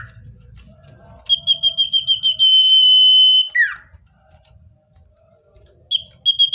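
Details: Common iora singing, meant to draw wild birds closer. A quick train of pulsed notes leads into a sustained piercing whistle that drops sharply, then a pause before short whistles resume.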